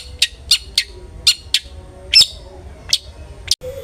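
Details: Long-tailed shrike (cendet) lure recording meant to make a bird sing aggressively: short, sharp, high rasping notes spaced irregularly about every quarter to half second, with a faint low hum beneath.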